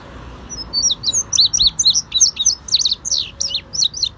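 An Indigo Bunting sings a rapid run of high, sharp, slurred notes, many in quick pairs, over a soft background hum.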